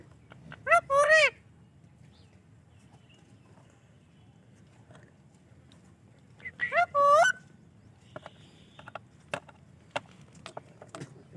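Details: A pet parrot makes two loud harsh, wavering squawk-like calls several seconds apart, with clicks and light tapping in between and quiet background noise.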